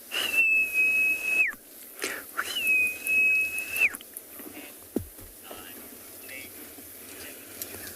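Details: Young francolins give contact calls at sunset on 7 October in Tswalu Kalahari Reserve, South Africa: two long, steady high whistles, each about a second and ending in a downward slur, then a brief falling note, with wind throughout.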